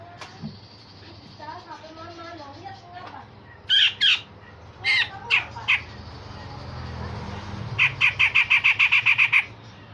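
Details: Grey-cheeked bulbul singing in the gacor style with rough 'besetan' and sharp 'tembakan' phrases: faint warbling early, then loud harsh squawky notes, a few spaced blasts, and a fast run of about ten rasping notes near the end.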